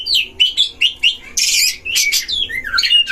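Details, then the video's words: Dueling caged Oriental magpie-robins at a breeding pen, a lure to stir up other magpie-robins; short whistled notes every fraction of a second, then a loud harsh rasping burst and more slurred whistles. "DUEL KACER di kandang ternak‼️pancing semua jenis kacer cpt emosi"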